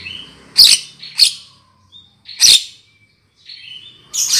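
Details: Lure call of a Javan myna for trapping birds: three loud rasping screeches in quick succession, then thin whistled notes and a final harsh burst.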